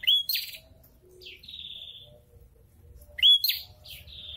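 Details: Prinias in breeding season, a male approached by a female, calling back and forth: a sharp whistled chirp followed by a long buzzy high note, the exchange repeating after about three seconds.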